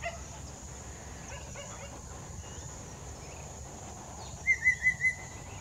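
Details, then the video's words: A ringed Collared Palm-Thrush sings near Mida Creek, giving a quick run of four clear, even whistled notes after faint scratchy phrases, over a steady high insect-like hiss. "Collared Palm-Thrush singing"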